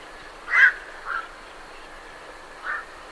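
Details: Night herons departing their roost: one strong hoarse croak followed by two softer, more distant ones, over a low hiss, with great reed warblers in the background.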